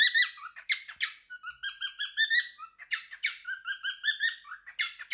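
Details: Singing indoors, a male pet cockatiel aged three delivers his favourite song as a string of clipped, squawky chirps and whistled notes, loud and fairly even throughout.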